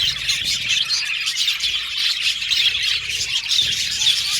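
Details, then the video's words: Colony of budgerigars in an aviary, Australian parrots, giving a dense, continuous chatter of high, scratchy chirps and squawks that overlap throughout without pause, with no other clear sounds. "Beautiful Budgies Chirping Sound"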